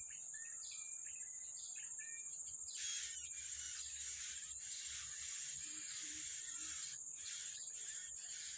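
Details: Yellow-bellied prinia in the wild while feeding its chicks: a few short, ringing harmonic notes, then a run of loud buzzy rasps in quick succession, all against a steady high insect tone.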